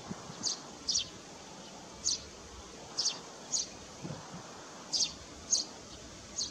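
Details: Eurasian tree sparrow, a long-term breeder in a nest box on a barn at Landje van Geijsel, recorded 21 May 2022: about ten brief high chirps in irregular succession over six seconds, with a steady outdoor hiss beneath.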